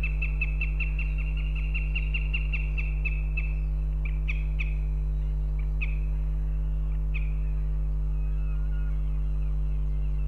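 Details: Northern goshawk female in Riga, Latvia, in mid-February calling for her partner: a fast, even chatter of high notes for several seconds, then a few isolated calls spread out and fading, with a constant low hum beneath.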